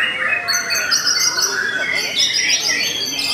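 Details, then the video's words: White-rumped shama, Belanda type, holding long clear sustained whistles at several pitches, overlaid with quick chirps and twittering notes. "TOP CERR🔥 Murai Batu BELANDA Memang TOP - Masih Stabil"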